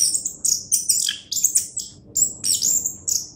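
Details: Orange-headed thrush, called a contest champion, singing very high thin twittering and squeaky notes in rapid clustered bursts, several pauses between phrases, faint low noise underneath.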